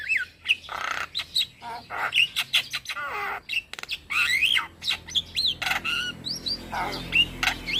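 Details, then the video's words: Energetic song from a young male black-winged myna, kept to tutor other mynas and calm stressed birds: dense mix of grating squawks, short clicks and looping whistled notes, delivered in quick uneven phrases. "Jalak Kebo Jantan Muda Gacor PAs Buat Masteran dan terapi Burung Jalak Stres"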